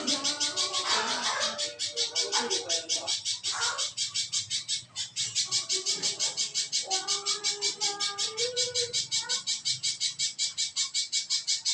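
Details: Little spiderhunter song used as a lure to get reluctant caged birds singing: rapid, even series of sharp high notes, roughly three per second, running throughout, with lower warbling tones and voice-like sounds beneath.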